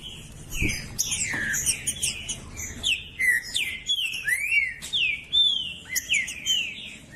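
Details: Green-winged saltator, with a female calling to stir a male into singing while a male sings: clear whistled notes sliding down and up, delivered in lively repeated phrases, with brief sharp clicks and a faint low rumble.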